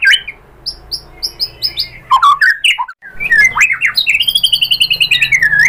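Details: White-rumped shama song meant to draw answering song from other shamas; soft repeated high notes open into rich, swooping whistles and harsh chattering, ending in a rapid rattling trill.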